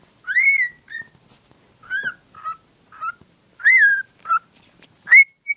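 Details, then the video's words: A female pet cockatiel, Lola, whistles while showing her love for a cuddly toy: clear, rising and falling whistled phrases, about eight short notes over six seconds, with a few harsher chirps. "Valkparkiet Lola fluit"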